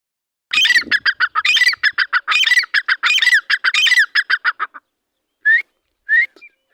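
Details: Pair of partridges calling: a fast run of harsh, squawking notes, about five per second, in loud surges for four seconds, then a pause and two single rising whistled notes.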